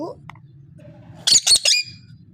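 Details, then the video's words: Parrot giving a harsh, buzzy squawk in three quick loud bursts near the middle, preceded by soft faint murmurs and a low background hum. "Amazing parrot voice talking sound parrot"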